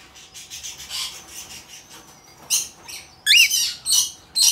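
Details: Albino cockatiel chick, hand-tame, recorded in Fukuoka, Japan, on 28 August 2023, giving soft raspy chatter that breaks into loud hoarse screechy bursts in quick succession toward the end.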